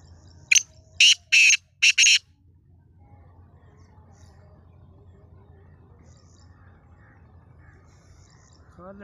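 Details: Black francolin recorded in Sindh, Pakistan, uttering a quick series of four harsh, scratchy notes within about two seconds, then near silence with faint distant chirps.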